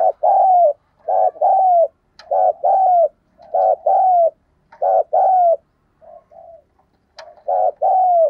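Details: Caged decoy spotted dove recorded by its keeper, cooing and calling: rhythmic phrases of throaty coos with a drawn-out falling final note, repeated steadily, faint clicks between, otherwise quiet.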